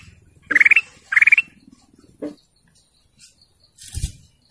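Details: Canary giving two fast pulsed trills in a row, then a short low note and a soft thump, with quiet gaps between.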